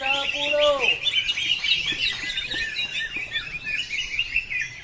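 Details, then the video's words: Cucak ijo, the greater green leafbird, singing at a practice contest in South Aceh: a continuous stream of quick, high twittering and warbled notes, fairly steady, after a man's voice at the start; crowd chatter underneath. "Kelas Cucak Ijo Polos"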